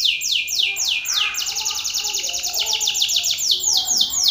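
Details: Belgian canary, a male singing strongly at another male: a continuous rapid trill of high falling notes, roughly four to five per second, slowing and speeding slightly, loud and steady throughout.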